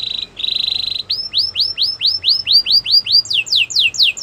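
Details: Belgian canary singing a training song: two flat buzzy tones, then a chain of slurred arching notes about three per second, finishing with higher, quicker downward sweeps.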